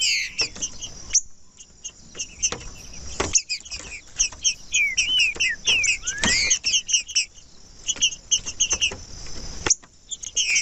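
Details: Green-winged saltator (trinca-ferro), kept bird whose song is played to warm up other saltators for singing contests: loud whistled phrases of slurred, descending and rising notes, broken by sharp clicks and thumps.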